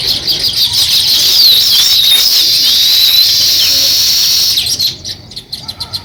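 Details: Sparrows starting to build a nest, giving dense, continuous high chirping with overlapping short twittering notes for about five seconds, then thinning to a few scattered chirps near the end.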